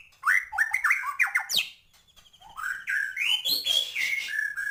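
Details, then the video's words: White-rumped shama in vigorous song full of filler phrases: rapid stuttering chirps, a sharp downward sweep, a brief quiet spell, then rising whistles and dense warbling. "Murai batu gacor,, full isian"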